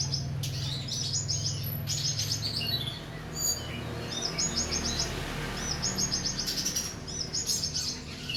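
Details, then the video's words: Tutor song for training cage birds: short bursts of high, rattling chirps repeated in quick clusters, separated by brief pauses, over a steady low background hum. "Berbagai suara burung masteran"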